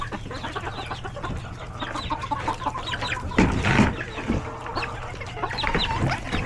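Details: Chickens with roosters and chicks in a coop at hectic lunchtime feeding; dense overlapping clucks and high chick peeps throughout, many birds calling at once, with a steady low hum beneath.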